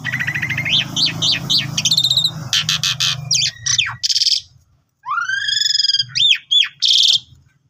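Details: Asian pied starling song in gacor mompa style for training new birds: rising whistled notes and rattles over a low background hum, then after a short gap a series of rising arched whistles and a harsh buzz.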